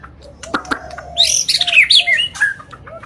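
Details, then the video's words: White-rumped shama singing in agitated, non-stop fashion to provoke other birds: a few soft low whistles and clicks, then a loud burst of high, rapid warbled phrases, ending in scattered short whistles. "Pancingan Murai Batu Emosi, Gacor Nonstop 24 Jam❗❗ AUTO Buka Paruh Langsung Ngamuk"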